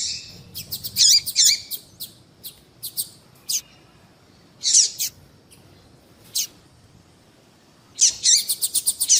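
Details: A female double-collared seedeater gives calls used to get a male singing: bursts of harsh, high chirps and quick ticks, a long quiet stretch, then a dense flurry of rapid tweets at the end.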